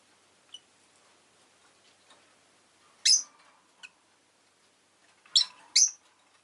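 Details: Rosy-faced lovebird kept as a pet, sharp high chirps spaced a few seconds apart: one loud squeal, a small peep, then a closing double chirp, with quiet background murmur between.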